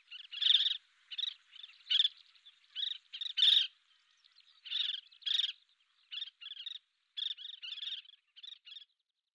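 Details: Collared pratincole calling: a series of short, sharp, chattering notes in irregular bursts of two or three, some louder and harsher, over a quiet background.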